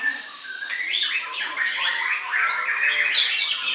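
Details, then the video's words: Rich song of a white-rumped shama: a mix of rising whistles, buzzy rasping notes and quick chattered bursts, loud and continuous with little background noise. "MURAI BATU"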